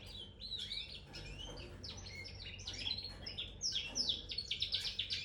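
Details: Red factor canary chirping: busy, high twittering and varied warbled notes, building into rapid repeated downslurred trills near the end, over a low background hum.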